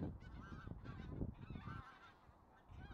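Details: A flock of migratory taiga bean geese gives overlapping nasal, wavering honks in a steady chatter, over a low rumble of wind or background noise.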